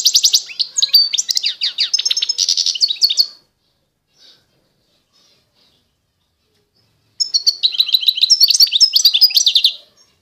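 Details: Eastern Algerian goldfinch of the pure Constantine type singing two bursts of quick tinkling twitters and trills, separated by a long near-silent gap.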